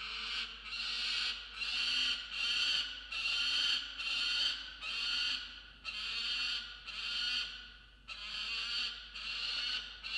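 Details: Screaming male peregrine falcon protecting his prey, a musk lorikeet, inside a camera-watched box early on 27 December 2022; a long, rhythmic sequence of grating, raspy calls, about one per second, with a brief pause near the end.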